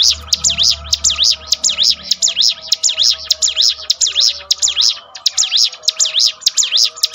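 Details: Training song of the bar-winged prinia with rapid, evenly spaced high arched notes, one brief pause midway, and faint low tonal sounds underneath.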